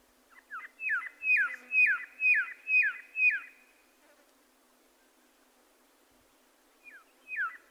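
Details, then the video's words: A red-lored whistler gives a run of six sharp, down-slurred whistles at a steady pace, falls silent for about three seconds, then starts again with two more. "Natural Birds Voice, Bird Natural Sound.Red lored Whistler."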